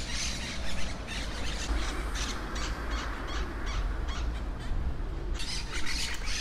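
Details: Many wild, feral Monk parakeets in a colony in trees in Brussels, Belgium, heard from below while walking under them: a dense, continuous chorus of harsh, grating squawks overlapping without pause, with louder bursts near the start and end.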